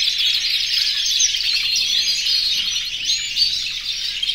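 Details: Aviary of over a hundred breeding-condition canaries singing to call the females, heard as a thick, shimmering chorus of fast rolling trills and sharp upward chirps overlapping throughout.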